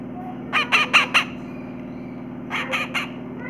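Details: Parrot wiping its beak clean after a meal, producing a run of four rough squawking bursts, a pause, then three fainter ones, with a constant low hum behind.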